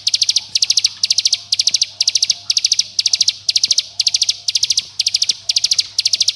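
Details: Lure song of a bar-winged prinia, a calling note that summons friends and angers rivals: tight packets of four or five piercing high notes, roughly two packets every second, without break.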